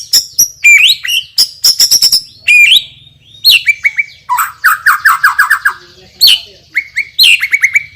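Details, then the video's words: Champion white-rumped shama with a loud, strong voice and super spicy fill repertoire: sharp whistled notes, rapid clicking bursts and a run of descending slurred phrases, sung in quick bright bursts with short pauses. "MURAI BATU juara isian super PEDAS_suara lantang dan keras"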